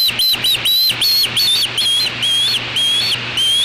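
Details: A juvenile osprey at its natal nest, 8 August 2013, 3:15 pm, defending it against an intruder, apparently a black vulture, gives a rapid series of shrill, whistled chirps, about nine in under four seconds, each slurring up and down, over a faint hum.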